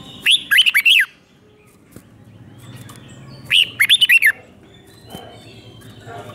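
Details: Red-whiskered bulbul from Thailand singing a five-syllable song style, recorded for young birds to copy. Two bright phrases of five quick, arched, whistled notes, separated by about three seconds of quiet with a faint background hum.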